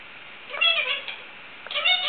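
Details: Indian ringneck parakeet imitating a cat's meow: two short nasal meow-like calls with bending harmonics, separated by a brief pause.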